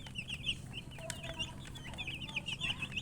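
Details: Baby chickens chirping together, a dense overlapping flurry of high, short, wavering peeps repeated rapidly over a low background hum.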